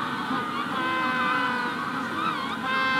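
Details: Magellanic penguin colony at hatching time, a thick wall of droning, honking calls with wavering pitch, many birds overlapping continuously.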